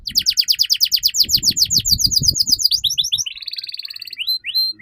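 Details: Canary song for training young birds: a rapid rhythmic run of falling sweeps speeding into a dense trill, then a buzzy rattle and a few rising whistles near the end.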